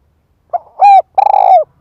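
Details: Spotted dove used as a decoy, calling to lure wild doves: a short soft note, then a clear mellow coo and a long rolling, trilled coo that slides down at the end.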